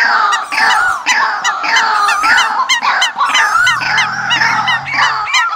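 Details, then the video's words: Migration-season decoy calls, a bird lure recording: a dense, continuous chorus of overlapping nasal honking calls with strong harmonics, some rising and falling slurs, and a low steady hum midway through. "tiếng Chim mồi mùa Di cư"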